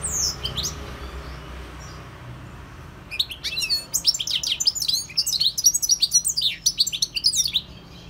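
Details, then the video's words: European goldfinch song: a few high opening notes, a quiet gap, then a dense run of quick tinkling twitters and buzzy slurs delivered about four per second for nearly five seconds. "GOLDFINCH SINGING 1H Chant Chardonneret اسمع واستمتع صوت الحسون البري Jilguero Campero"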